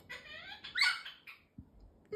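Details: Pet galah, a happy male talking parrot showing off his wings, gives a short run of squeaky, nasal, speech-like phrases with a harsher rasping burst in the middle; a person's voice is heard nearby.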